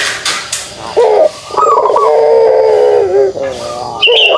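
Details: Kugeruk call of a pelung turtle dove: a brief pulsed note, then a long, even, low droning coo lasting over a second, ending with a short rising note.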